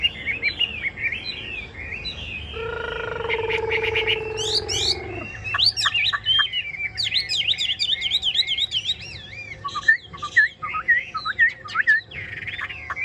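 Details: Caged Chinese hwamei pouring out varied whistles, looping slurs and rapid high twitters. Early on a steady low tone with overtones is held for about three seconds behind the bird.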